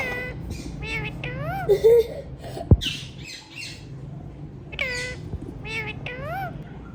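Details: Hand-tame ringneck parrots giving a string of harmonic, bending whistled squawks, some rising and falling, clustered near the start and end, with a sharp click and a brief harsh note between, low hum behind.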